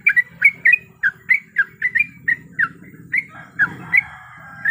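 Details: Female yellow-vented bulbul in breeding condition calling a male: evenly spaced, short, slurred chirps roughly every quarter second, over a steady low background rumble, ending in a rougher, noisier burst.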